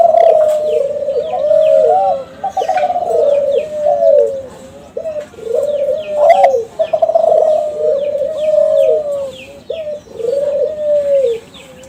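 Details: Captive young Kelantan spotted dove of a champion bloodline, singing as a lure for other doves. Steady series of deep, rounded coo phrases, each ending in a drawn-out tone, repeated over and over while small birds chirp faintly.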